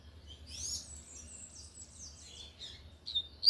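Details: Lined seedeater (coleiro de gola, tui tui style) singing loudly: a high sweeping warble with rising and falling whistled notes, ending in a sharp bright note.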